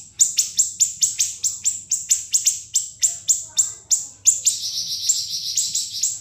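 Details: Siri-siri bird song used as a tutor recording for cage songbirds such as magpie-robins: a rapid series of sharp, shrill high notes about every quarter second, merging into a denser buzzy trill near the end.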